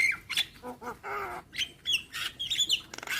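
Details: Javan myna song meant to train young birds, played each morning: a clear whistle, nasal slurred notes and a rasping squawk, then a burst of jumbled whistles and harsh chatter.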